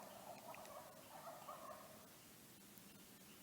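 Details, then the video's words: A wild turkey about 50–60 yards away in trees high on a snowy mountain trail gobbles: a quick, rattling burst of throaty notes lasting about two seconds, faint against a steady outdoor hiss. "Did you just hear that? That actually is a wild turkey."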